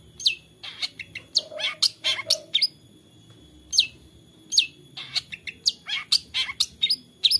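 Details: Varied 'isian' song of a long-tailed shrike in Central Java, Indonesia, phone-recorded to stimulate lazy shrikes: a jumble of high whistles, rasping bursts and short downslurred notes in irregular clusters, with a brief pause midway.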